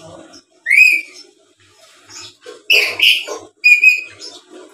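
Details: Black-capped lory, noted as a skilled talker and chatterer, voicing a rising whistled squeal, then a burst of harsh rasping notes and a final clear, piercing whistle.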